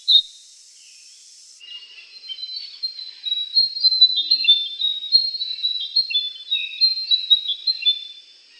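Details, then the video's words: Andaman bulbul (Brachypodius fuscoflavescens), endemic to the Andaman Islands, gives a lively run of short, sweet chirping notes, quick and uneven, over a steady high insect hum. "Andaman Bulbul"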